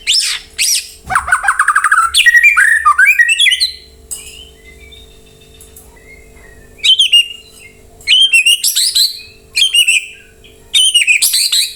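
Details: White-rumped shama singing to spur other birds into replying: a loud burst of rapid, descending chattering notes and whistles, a quiet gap, then repeated bright, high whistled phrases in short bursts.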